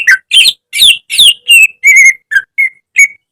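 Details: Caged greater green leafbird training song: loud harsh, descending buzzy notes at first, then clear sustained whistles and short level whistled notes spaced about half a second apart, with no other sounds.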